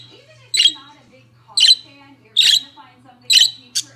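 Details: Pet budgerigars chirping: short, bright, buzzy chirps come roughly once a second, uneven in spacing, over a faint steady low hum.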